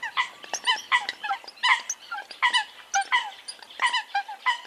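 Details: Eurasian coots calling together in a dense, busy chorus of short, honking, trumpet-like notes; the calls overlap and tumble over one another without a steady beat, and some notes slide slightly downward.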